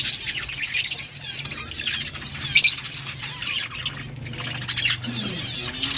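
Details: Budgies feeding on green food chatter softly: thin, high twittering and short warbled notes, with a few louder chirp bursts and a faint low hum in the background.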